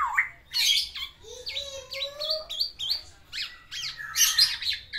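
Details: Caged black-naped oriole courting a female with its learned fill-in song: mixed whistles, a low rising slurred whistle, short nasal notes and scratchy bursts in a varied, jumbled sequence, recorded indoors.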